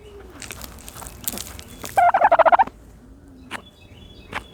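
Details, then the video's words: A turkey dust-bathing gives a quick, bubbling gobble of about seven rapid throaty pulses in under a second, among soft scratchy rustling and scuffing in the dirt. "the special noises of a turkey bathing in dirt"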